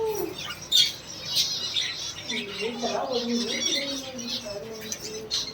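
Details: A pair of white budgerigars in Pondicherry chatter with quick, scratchy chirps and squawks, over a low murmur that may be voices.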